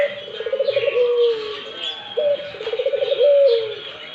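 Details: A Barbary dove, calling actively, gives two rolling calls: a burst of rapid throbbing pulses that ends in a long, mellow coo drifting downward, with light chirping from other birds behind.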